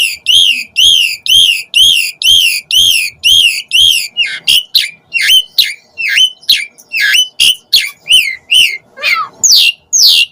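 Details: Asian pied starling calls played to lure starlings: loud harsh buzzy notes repeated about twice a second, then shifting to varied sharp chirps and downward slurred notes.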